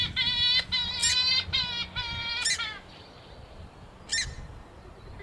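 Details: Purple swamphen calling, a recording used as a hunting lure: a run of nasal, harmonic-rich honking notes in quick succession, then a pause and a single sharper squawk, over a low background hum.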